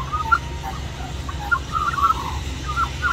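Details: In a reserve in Middleton Grange, New South Wales, Australia, a small magpie begs for mango with a gentle warbling song: scattered fluty notes and brief gurgling phrases against constant low background hum.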